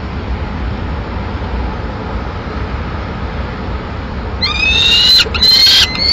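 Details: Peregrine falcon chicks in Madrid, May, fighting over prey the female brought: harsh, strained screeching calls break out near the end after several seconds of steady low rumbling background noise.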